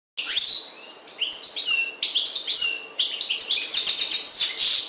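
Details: European goldfinch (Carduelis carduelis) song: a rapid, tinkling stream of high twitters, liquid trills and buzzy notes, run together almost without pause.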